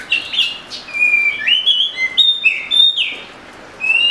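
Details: Oriental magpie-robin delivering a rich run of pure whistles at changing pitches, some steady and some gliding upward, with a pause before a final rising note.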